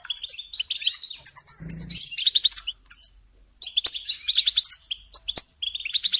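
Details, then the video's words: European goldfinch song for teaching young songbirds: rapid twittering phrases mixed with sharp chirps, a short silence midway, and a brief low thump. "Teaching Singing Lessons Through Goldfinch Motives"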